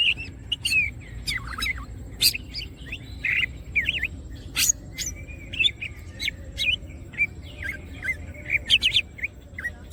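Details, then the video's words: Greater green leafbird, wings opened and singing actively, gives a busy run of short whistled slurs and sharp clicking notes, rising and falling, with brief pauses between bursts, over faint low background hum. "green cucak birds open wings siip and gacor materials"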